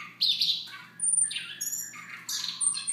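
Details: Siberian rubythroat giving a soft morning song: short varied warbled phrases and thin high whistles, broken by brief pauses, over a steady low hum.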